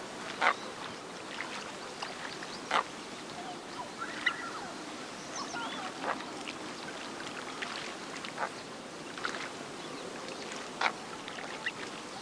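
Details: Andean coots on Lago San Pablo, Otavalo, Imbabura, Ecuador: scattered short, harsh, clipped calls at irregular intervals, with softer squeaky notes between them, over continuous lakeside background noise.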